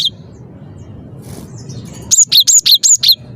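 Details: A cinereous tit singing persistently, giving a quick run of six high, clear two-note phrases over a soft background hum.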